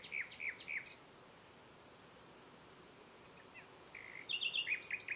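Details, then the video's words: Red-backed shrike at Kahramankazan, Ankara, Turkey, on 26 June 2021, giving short, harsh chacking notes, three at the start, then a quick rattled burst after a pause; faint background hiss. "Kızılsırtlı örümcekkuşu / Red-backed Shrike"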